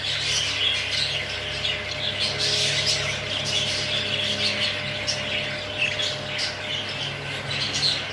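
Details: Many English budgies, exhibition and hogoromo types, chatter with sharp chirps and squawks over a persistent low hum.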